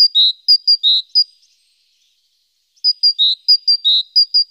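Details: Great tit busy around the nest one April 14 morning, recorded by a nest webcam: clear, bright high notes alternating in quick two-note phrases, repeated in two short runs separated by a pause.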